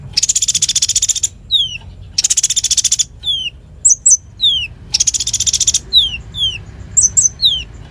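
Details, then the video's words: Full-voiced konin as a tutor for magpie-robins and fighter birds: three long shrill buzzing trills alternating with clear downslurred whistles and quick high double notes. "Masteran Konin Gqcor Nembak Full isian Buat Isian Buring kicau"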